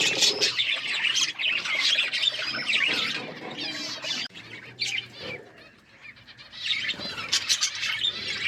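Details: Group of budgies giving busy warbled chirps and short squawks, thick chatter at first, thinning to a quieter stretch in the middle before the overlapping calls build again.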